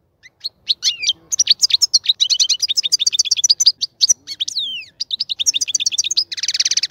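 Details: Caged European goldfinch, in a cage being readied for mating, sings a dense, fast tumbling warble of tinkling notes and sweeping whistles, ending on a coarse buzzy trill.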